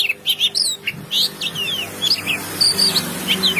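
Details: Brief stretch of oriental magpie-robin song, clear whistled slurs and short chirps tumbling quickly one after another above a soft background hiss and low hum.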